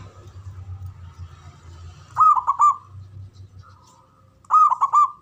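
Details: Male local zebra dove calling in ngoar manggung style to rouse mating arousal: two rolling phrases of three or four bubbling coo notes each, plus a brief soft coo between them, over a low hum.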